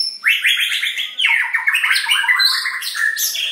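White-rumped shama singing a rich, rapid run of varied whistled and chattering phrases, mostly high-pitched, with quick trills and slurred notes throughout.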